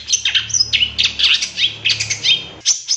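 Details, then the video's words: Long-tailed shrike (cendet) master lure recording with 'tembakan' fill: a dense, continuous jumble of quick warbled notes, slurs and high squeaks with almost no pauses. "Suara Cendet No #1❗Masteran Pancingan Cendet Isian Tembakan MEWAH"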